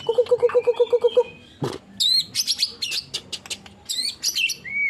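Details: Murai batu, the white-rumped shama of Indonesia, fumbling its 'nembak' shooting phrase: a run of about nine even low whistled notes, then a brief harsh burst, then high sweeping whistles and chirps climbing into a clear rising final whistle.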